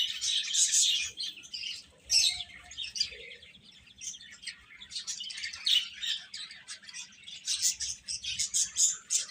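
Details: Chicks of the chicken cheeping together: loud bursts of thin, high chirps at the start and end, with a softer, sparser patch of peeps between.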